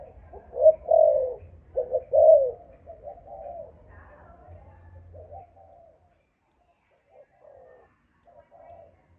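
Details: Malaysian-line spotted dove of the 'âm thổ' voice style giving low, hoarse coos in paired bursts over the first five seconds, then softer, fainter coos trailing off into near silence.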